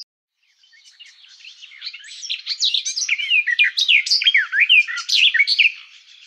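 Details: Garden warbler song: a long, fast, rambling warble of mixed whistled and chattering notes, building from quiet to loud and flowing almost without pause.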